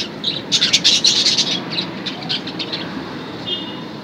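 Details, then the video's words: Budgerigars at play: a burst of scratchy, high chirps and squeaky warbles in the first second and a half, fading into scattered soft chips over a steady low rumble. "budgies play"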